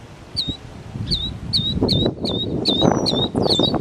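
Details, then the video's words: Northern mockingbird at Belle Isle Marsh Reservation, East Boston, Massachusetts, working through its run of other birds' songs: a clear high whistled note with a downward hook, repeated about every half second, over low rumbling background noise. "Northern Mockingbird bird songs"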